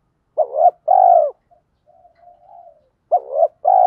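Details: Lure spotted dove in 'thổ pha' style, fast sewing-machine-like 'thúc gù' cooing to incite wild birds to call back: a two-part hoarse coo, a quiet murmuring pause, then the phrase starts again.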